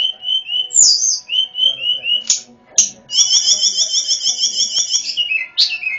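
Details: Sunda robin singing as a lure for wild birds: clear whistled notes at two alternating pitches, brief harsh bursts, then a long rapid trill of doubled notes ending in a falling slur.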